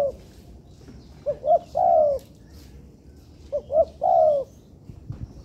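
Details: Spotted dove (tekukur) cooing as training material in an artificial yard: two phrases, each two short notes then a long falling coo, about two seconds apart, with a quiet background.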